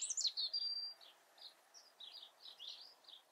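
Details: European robin in natural surroundings with a brief high, thin burst: a shrill whistle held for about half a second, then softer scattered twittering notes that fade.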